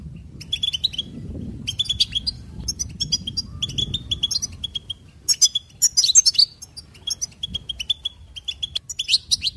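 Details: Goldfinch singing cheerful twittering trills and warbles: short bright chirps in quick bursts, with louder rapid phrases near the end and a soft low rumble in the background.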